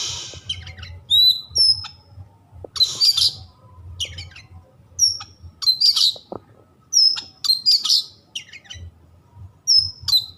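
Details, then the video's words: Magpie-robin singing to provoke listening birds into attacking: loud, varied phrases of pure high whistles, sliding notes and harsh, scratchy bursts, separated by short gaps, over low background rumble. "100% Nyambar Kacer anda setelah mendengar suara kacer yang satu ini."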